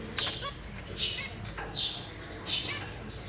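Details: Zebra finches, including three juveniles and three new babies in a big cage, 6 May 2023: soft, breathy high calls repeated roughly every three quarters of a second, with faint clicks and low room noise.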